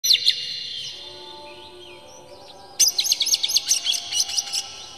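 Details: Oriental magpie-robin song used to provoke other magpie-robins into singing, emotional full-material song with tail spread: high whistled notes, a quiet gap, then a rapid burst of harsh chattering notes.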